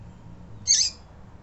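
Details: Female double-collared seedeater giving one short, high, slightly buzzy call meant to stimulate males; faint low hum in the background.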